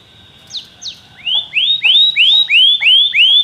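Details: Belgian canary singing: two sharp falling whistles, then six loud upswept notes repeated about three times a second, each rising steeply and leveling off high.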